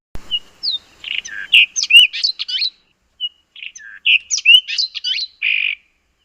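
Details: Southern African White-throated Robin-chat song: two rich, varied phrases of whistles, slurred notes and buzzy trills, each about two seconds long, separated by a brief pause.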